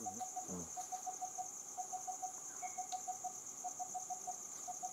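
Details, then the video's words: Coppersmith barbet delivers short runs of identical low tapping notes, pausing briefly between bursts, under a steady high-pitched insect buzz and a brief rasping sound near the start. "Coppersmith barbet"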